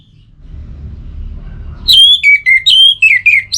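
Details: Orange-headed thrush song, played to get birds that are reluctant to sing singing again: a continuous run of clear whistled notes alternating between higher sustained tones and quick falling slurs, with shrill overtones. Quiet low hum before it starts.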